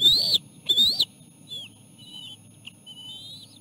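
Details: Osprey at the nest while a small fish is brought and fed to three chicks: two loud, whistled, upslurred notes open the clip, followed by several fainter thin whistled slurs, with low steady background rumble.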